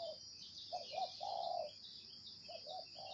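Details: Spotted dove, 'gáy gù' style: two quick soft coos lead into a long drawn, slightly falling coo, then another pair of short notes and a final coo, with a steady shrill background hum.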